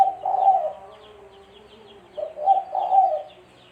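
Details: Spotted dove used as a trapping lure, cooing twice: a fading mellow coo at the start, a quiet gap, then a fresh phrase of a short note followed by two rounded, wavering coos.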